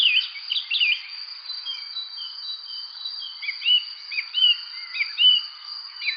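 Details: Chirping bird: a cluster of twittering notes at the start, a quieter pause, then a string of short rising-and-falling chirps about once per second, all over a continuous high-pitched buzzing drone.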